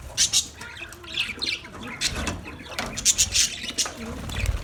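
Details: A colony of budgerigars gives sharp, bright chirps in clusters, with scratchy chatter between them and a low thud at the close.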